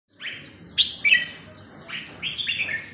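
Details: Red-whiskered bulbul of the sai nap dok song line: two sharp, bright chirped notes near one second, then a fuller warbled phrase with descending whistles toward the end, over a faint low hum.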